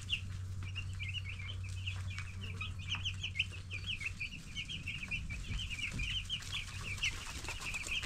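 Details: Ten-day-old broiler chicks being raised, a flock giving dense high peeping chirps, many overlapping short notes in a steady chatter, over a low steady hum.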